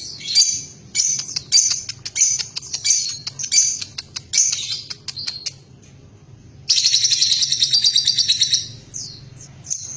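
A lovebird chatters in rapid, harsh, high-pitched bursts of scratchy twitters, then breaks into a dense, unbroken trill of buzzy notes.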